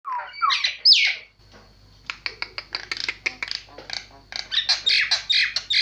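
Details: Javan myna singing a varied, harsh song: rising squawky whistles open, then a pause and a fast run of dry clicks and rasping notes, ending in loud burry phrases, with a steady high electrical whine behind.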